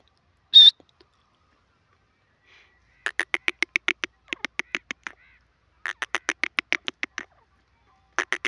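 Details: Grey francolin (teetar) from Pakistan: after one sharp high note, loud runs of rapid, evenly spaced clipped notes come in bursts of about two seconds, separated by short pauses, with no other clear sounds.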